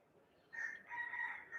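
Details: A rooster in Hawaii crows once, a drawn-out, strained and slightly wavering note lasting about a second, with a faint hiss of background behind it.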